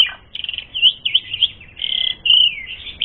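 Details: Asian pied starling singing, a lure to provoke fighting: rapid chattering notes woven with sustained whistled phrases and downward slurs.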